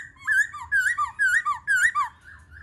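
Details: Black-throated laughingthrush sings during its dance: four clear whistled phrases, each a rising slur followed by a lower dropping note, repeated about every half second.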